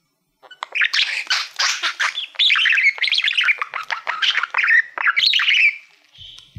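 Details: Pet male budgerigar, fond of mirrors, singing to a reflective silver award plaque indoors: a continuous chattering warble of buzzy notes, squeaky whistles and clicks, fast and varied, ending with a short high whistle.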